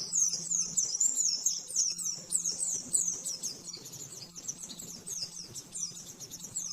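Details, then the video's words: Master song of an oriental white-eye in nembak-nembak style for training caged birds. A continuous, thin, high twittering flows on with little pause, softer and busier here, over a low hum and light background noise. "Masteran burung pleci nembak-nembak"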